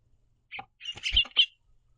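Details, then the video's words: A house finch pair perched on a backyard platform feeder, hopping on and off while eating seed; one gives a quick burst of bright, high chirps in about one second, some harsher and buzzier, with quiet gaps around. "House Finches Happily Chirping"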